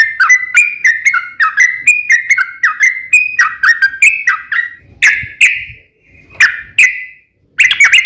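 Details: Yellow-vented bulbul performing the long 'ropel panjang' song meant to goad other bulbuls into answering: quick chattering notes that gradually slow, then break into separate louder, sharper phrases with short silent gaps near the end.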